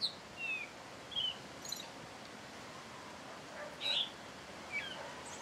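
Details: A thrush at its singing hour delivers sparse, brief whistled phrases, some sliding downward, separated by pauses of about a second, over faint constant hiss.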